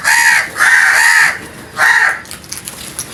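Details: Scared crows calling loudly, three harsh raspy caws in quick succession, the second drawn out, followed by quieter scattered clicks and rustling.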